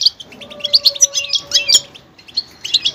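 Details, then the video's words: Goldfinch singing: quick high chirps and twitters in a short phrase, with a faint steady low hum running underneath. "motivational ringtones that will take you on a journey with goldfinch"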